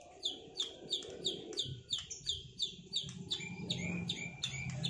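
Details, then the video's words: Duelling white-rumped shama after moulting. Sharp high notes repeat about three times per second, then shift to a lower whistled motif. A low rumbling hum runs underneath. "Duel murai batu lepas mabung buat mengembalikan performa burung"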